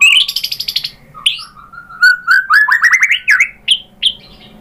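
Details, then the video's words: White-rumped shama singing to provoke other shamas: a fast buzzy rattle, then a rising series of whistled notes climbing in pitch, and a few isolated sharp upslurred notes. "SUARA MURAI BATU bikin NYAUT jadi EMOSI GACOR BONGKAR ISIAN ¦ PANCINGAN MURAI ¦ SHAMA BIRD"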